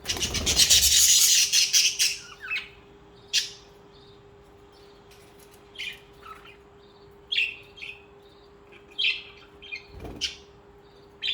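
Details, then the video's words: Social budgies open with a loud dense burst of fluttering, noisy chatter, then continue with quick scratchy chirps repeated at uneven intervals over a faint steady hum. "Most Beautiful Bugies Song | Bugies Singing and Chirping"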